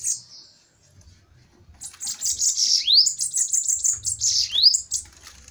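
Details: Fiery bananaquits duelling in a fight: a short high chip, then a dense run of high buzzy notes with two rising slurred sweeps, continuing to the end, with low background rumble.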